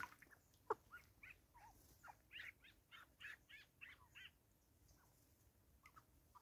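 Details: Bonding grey go-away-birds in South Africa, 2024, give a rapid burst of harsh, barking nasal notes, several overlapping, that fades to a few scattered calls over steady background hiss.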